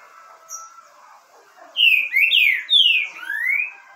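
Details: Green-winged saltator (trinca-ferro verdadeiro) singing a bold phrase of rich whistles, several falling slurs and a final rising glide, after faint earlier notes.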